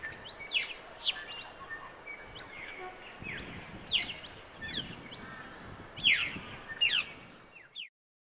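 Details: At the Sherwood Arboretum, an Australasian figbird calls with bursts of steeply falling whistled notes every second or two, set against a low hiss of outdoor background noise.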